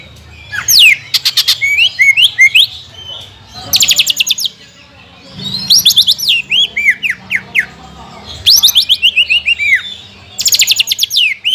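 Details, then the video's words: Greater green leafbird phrases in repeated cycles: harsh buzzy bursts followed by sharp descending whistled slurs, several times with short pauses; a lure to make captive birds sing for competition. "PANCINGAN CUCAK IJO GACOR NEKAN DAN NEMBAK"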